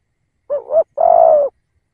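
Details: Single phrase from a decoy spotted dove, a wavering double coo that dips and rises, then one long, steady, hollow coo tapering off at the end, in silence.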